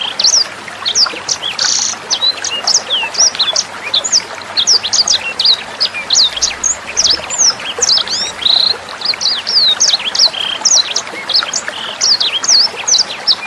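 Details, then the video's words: Tutor recording of sanger bird song for teaching caged songbirds. A long, dense run of quick, bright, high chirps and whistles keeps up almost without a break, with a soft murmur of trickling water beneath. "SUARA MASTERAN BURUNG SANGER NEMBAK JERNIH + GEMERCIK AIR"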